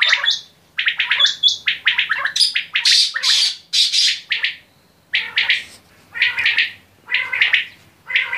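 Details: Quail uttering squawking, raspy bursts mixed with short high whistled notes, irregularly spaced with silent gaps of about half a second.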